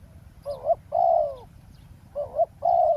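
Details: Spotted dove at a ground decoy trap by a road, giving mellow, throaty coos: a short wavering double note, then a longer level note, the pattern heard twice, with a faint low background drone.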